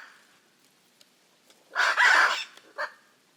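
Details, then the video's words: Hyacinth macaw from the Pantanal, Brazil, giving one loud, harsh, drawn-out screech followed by a short rasping squawk, with faint chatter before it. "The raucous sounds of Hyacinth macaws"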